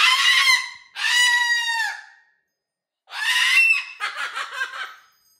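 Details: Pet cockatoo indoors, giving loud raspy screeches in pairs, then a pause and a harsh screech that breaks into choppy, stuttering squawks.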